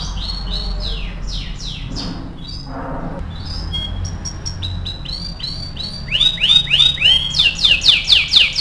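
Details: Training song from a vigorous AF canary: falling chirps, a quieter varied passage, then loud rapid upswept rolling notes building at the end.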